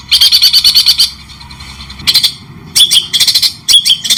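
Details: Clear White-rumped shama singing with pauses in a training recording for songbirds: a short burst of rapid chattering notes, about a second and a half of silence, then several more quick bursts of harsh high chips.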